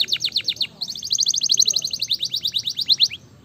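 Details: Gloster canary fighter bird delivering a dense, speedy song: quick falling notes lead into a long, rapid trill of sharply repeated slurred syllables.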